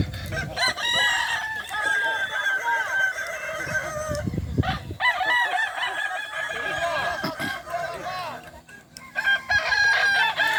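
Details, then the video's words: Kukuak Balenggek roosters in a crowing contest final, boko class, Solok regency. Bursts of overlapping, wavering crows alternate with brief lulls, accompanied by low rumbling noise and voices. "Final lomba ayam kukuak balenggek kls boko"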